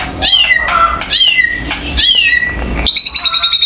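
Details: A captive white-rumped shama, worked up by harsh provoking sounds to raise its aggression, gives loud clear whistles sliding downward about one per second, ending in a sharp, rapid, buzzy trill; hand claps are heard.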